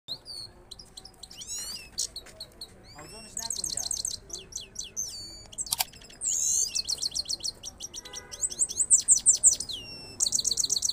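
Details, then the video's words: Goldfinch singing a two-step rolling song: bright, high twittering with rapid buzzy trills and chirps in bursts, slides and quick repeated notes, louder rolling runs near the middle and end, faint background hum. "two step singing of gold finch rolling"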